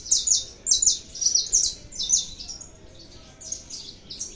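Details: Canário da terra, or saffron finch, singing: five loud, high, bright chirped notes in quick rhythm, followed by quieter scattered twitters.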